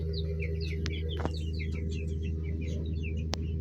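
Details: Several colourful baby chicks cheeping, with many short, high, down-slurred peeps overlapping rapidly, over a steady low electrical hum and a couple of sharp clicks.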